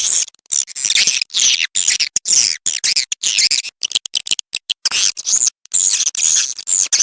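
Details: Swiftlet lure call used to attract birds to swiftlet houses: dense, rapid high-pitched chirps and twittering trills in quick broken bursts, with sharp gaps between groups and many overlapping notes.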